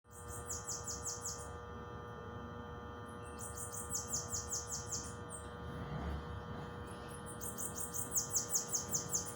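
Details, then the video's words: Bananaquit singing in nature: very high, thin, fast buzzy trills of rapidly descending notes in bursts of about a second, three bursts, over steady low hum and electrical drone. "Sibite cantando na natureza"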